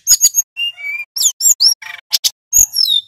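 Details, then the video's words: Male hill blue flycatcher singing vigorously in a rolling style, from a lure recording: high whistled notes, some steady and some sweeping down, broken by sharp clicking chips and short buzzy bursts. "Sulingan gunung jantan gacor ngeroll"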